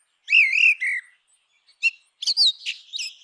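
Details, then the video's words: A grey-winged blackbird sings rich, warbling whistled phrases with wavering pitch, broken by brief pauses and ending in a burst of higher, twittering notes. "Canção do melro com asas cinzentas! Som de melro com asas cinzentas!"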